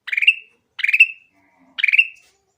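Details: Grey-cheeked bulbul singing clearly, played as a lure for bulbuls that are slow to sing. Three separate buzzy, upward-sweeping notes, each ending on a ringing whistle, about a second apart.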